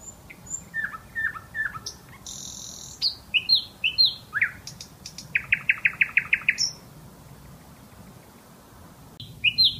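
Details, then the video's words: Bulbul song made of varied phrases: short descending chirps, a few higher whistled slurs, then a quick run of about eight repeated notes, followed by a pause and one last high note. "Bulbul song"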